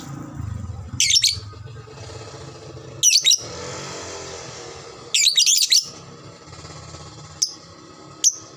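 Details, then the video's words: Lovebird of the fighter type, sound meant to quickly trigger long ngekek chattering: three dense, shrill, scratchy bursts about two seconds apart, then two single sharp high chirps over a low indoor hum. "SUARA BURUNG LOVEBRID TERCEPAT, bikin cepat respon ngekek"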